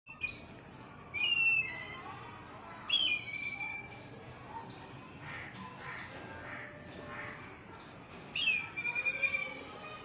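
A black kite gives three bursts of thin, high, quavering whistles, each a shrill whinnying trill, spaced several seconds apart over a steady background hiss.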